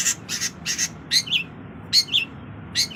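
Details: Cendet, the long-tailed shrike, giving squawky, nasal double notes in quick uneven bursts, some with a twisting upper part, separated by short pauses.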